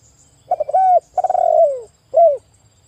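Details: Spotted dove coo sequence meant to provoke other doves: stuttered notes swell into a sustained coo, followed by a pulsing coo that drops steadily in pitch, and a final brief rounded coo.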